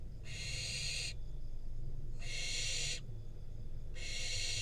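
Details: Wild barn owl fledgling, Israel, getting a rodent from its parents, nest-cam recording. Three evenly paced harsh hissing screeches, each close to a second long, with brief silences between, and a steady low drone.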